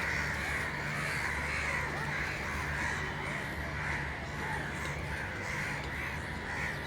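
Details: Loud crow noises: a dense, continuous run of rough caws at roughly two per second, several birds overlapping, with a constant low droning hum underneath.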